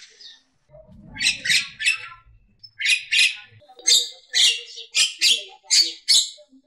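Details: Javan myna, a champion-quality bird, singing in harsh, chattering bursts: a pair of rasping notes, then a run of short, loud, buzzy phrases repeated at steady intervals, with a soft low rumble early on.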